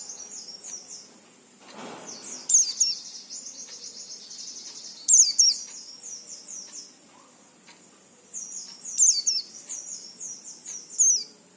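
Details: Oriental white-eye song for daily playback to make untrained white-eyes sing sooner: lively high twittering bursts of rapid slurred notes with sharp emphatic chips, separated by brief quieter gaps and one short broadband knock.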